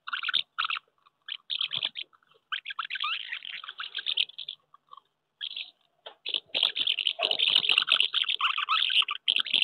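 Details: Common house martins at their nests on a wooden house during courtship in May 2023, with pairs claiming nests and quarrelling with strangers: scattered bright chirps and short twittering bursts, growing into continuous chatter toward the end.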